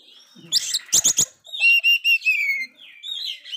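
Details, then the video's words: Oriental magpie-robin singing hard despite a failed moult, used as a stimulus for dispirited magpie-robins; quick harsh rasping notes give way to clear, falling whistled phrases. "Kacer gagal mabung ini sangat gacor sekali Cocok Untuk mancing Mental kacer drop"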